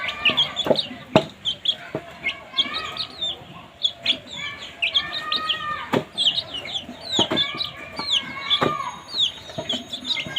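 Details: A group of baby chicks noisily chirping while eating, many overlapping high, slightly descending peeps, mixed with sharp pecking taps and clicks.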